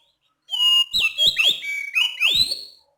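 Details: An oriental magpie-robin, called a Sumatran forest bird, calls at night with a clear, rhythmic series of loud, high whistles, some rising and some falling, interleaved with short sharp downslurred notes.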